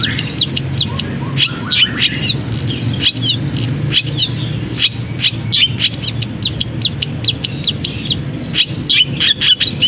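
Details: Caged long-tailed shrike singing actively with canary-style fill and imitations of other birds after its cage cover is lifted; dense run of sharp chirps, quick trills and high sweeping whistles crowding together, with a low hum underneath.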